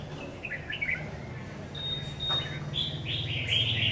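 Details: Red-whiskered bulbul, a new decoy bird on trial, gives quick chirpy warbled notes, then a long thin steady whistle and a louder run of bright phrases at the end over a steady low hum.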